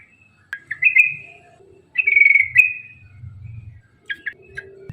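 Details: Rapid ropel song of a yellow-vented bulbul, played to prompt other bulbuls to sing: short whistled notes and sliding phrases broken by brief gaps, over faint low background rumble.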